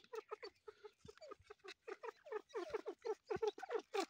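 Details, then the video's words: Grey partridge chick calls: short, harmonic, downward-sliding notes repeated in a quickening series that grows louder toward the end. "Partridge baby"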